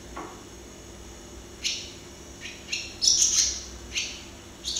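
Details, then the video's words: Close view of a barn swallow (Hirundo rustica) in song: scattered high, clipped chirps, a cluster of three or four near the middle, and a thin whistled note, separated by short pauses. "Canto de golodrina - Song of barn swallow - Canto da andorinha-das-chaminés"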